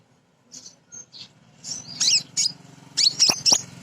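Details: Captive female sunbird, kept as a lure bird to stir others into song. After a quiet opening with a few soft high notes, sharp squeaky chirps and twittering slurs build up, growing louder toward the end.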